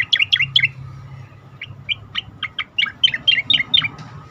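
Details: Asian pied starling song meant for training contest birds. It opens with a dense, loud trio of chattering notes, then a run of separate sharp chirps and squeaky whistles. A steady hum and low noise sit beneath.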